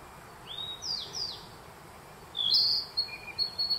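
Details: At Myojin in Kamikochi, Japan, a Narcissus flycatcher sings in the June 2021 spring forest: bright downslurred whistles, a pause, then a loud trilled note and short flat whistles, while a Black Bunting sings in the same woods.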